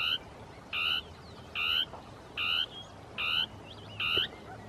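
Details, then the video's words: A Dusky Tapaculo (Scytalopus fuscus) gives its territorial song in scrub, possibly two birds interacting: a steady series of short, buzzy, froglike notes, one roughly every 0.8 seconds, with faint chirps of another bird in between. "CHURRIN DEL NORTE (Scytalopus fuscus) CANTANDO"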